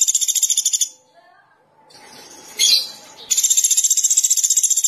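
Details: Pelatuk beras (Sunda pygmy woodpecker) in active voice: a fast, buzzy, high trill, a break with faint murmuring and one sharp burst, then the same rapid pulsed trill resumes strongly.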